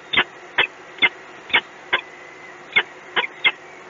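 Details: Peregrine falcon in Gdynia calling in short, harsh, grating notes, eight in about four seconds, evenly spaced except for a brief pause mid-series, over a faint constant low hum.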